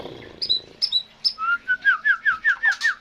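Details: Songbird with three high sharp notes, then a steady run of about eight clear rising-and-falling whistles, each roughly a fifth of a second apart.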